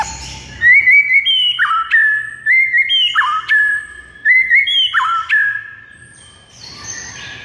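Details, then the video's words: Song of a white-rumped shama played to make a quiet bird sing energetically: a series of loud whistled phrases, each with an upward slide, a sharp drop and a held note, repeated about every 1.5 seconds. "JADIKAN MURAI BATU BISU LANGSUNG NGAMUK DAN GACOR MENDENGARNYA"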